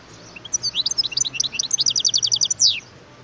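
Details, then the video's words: Continuous lively song of a wild European goldfinch: a rich jumble of high tinkling and twittering notes accelerating into a rapid chirp series, closing with a strong falling note; faint low hum beneath. "اسمع صوت الحسون البري"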